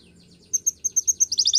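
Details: Canary singing a short run of sharp high chirps, evenly spaced, quickening into a fast bright trill at the end.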